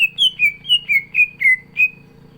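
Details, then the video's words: Greater green leafbird (cucak ijo), 'gacor isian' song: a loud, rapid chain of seven ringing whistles, alternating slightly higher and lower, each dropping in pitch, delivered in about two seconds. "CUCAK IJO GACOR ISIAN"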